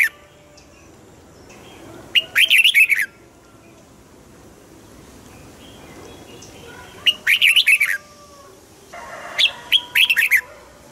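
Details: Caged red-whiskered bulbul giving three spaced song bursts, each a rapid chatter of several bright, warbling whistled notes, with quiet gaps of several seconds between them.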